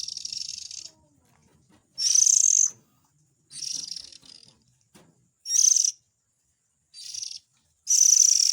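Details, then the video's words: Oriental magpie-robin chick calling, a recording used to lure adult birds: harsh, buzzy rasps of varying length, some long and some clipped short, spaced irregularly with quiet gaps. "Suara Pikat indukan burung kacer ,suara anak nya"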